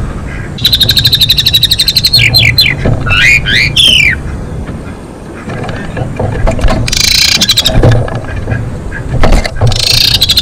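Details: Female Asian pied starling singing to stimulate breeding condition in males: a rapid rattling trill and twisting squeaky notes, later harsh noisy bursts, over steady low rumbling background noise.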